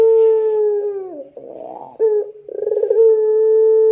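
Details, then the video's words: Energetic 'dor'-style coo of a ringneck dove meant to prompt other doves to call. A long, steady low tone falls away, then comes a soft noisy gap, a short note, a rolling pulsed burst, and another drawn-out coo. "Pancingan Suara Burung Puter Gacor Dor 100% Cocok Bikin Puter Lain IKUTAN BUNYI"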